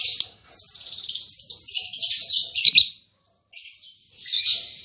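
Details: Caged lovebird pair just put together, albino MM male with lutino MM female, hoped to mate and lay eggs: near-continuous shrill, scratchy chattering with brief gaps, in loud bursts throughout.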